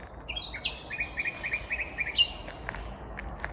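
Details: Common Nightingale, a vagrant in Kvarnbo near Uppsala, Sweden, heard singing one May 2021 morning; rising whistles lead into a fast run of about eight repeated clipped notes, with faint outdoor hum.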